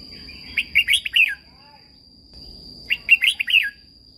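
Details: Red-whiskered Bulbul kept in a cage in Thailand, singing a song meant to make other birds lively and to teach them. Two matching phrases of five bubbly whistled notes, about two seconds apart, with a steady high electronic tone throughout.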